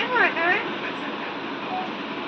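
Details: A pet talking Alexandrine parakeet utters a quick, speech-like phrase of warbling, voice-like syllables, perhaps "mitthu beta", in the first half second, followed by steady background hiss.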